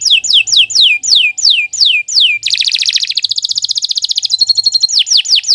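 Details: A canary sings a long, loud phrase: repeated falling whistled notes, then a harsh buzzy trill easing into a fast rattle, ending with clear downslurred whistles again.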